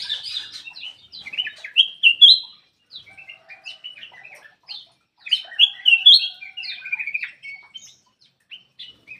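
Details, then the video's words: Ruby-throated bulbul song delivered in two lively bouts of quick whistled and chirpy notes, each building to loud sweet phrases, separated by a few seconds of quieter scattered notes. "SUARA BURUNG CUCAK EMAS \ KUTILANG EMAS"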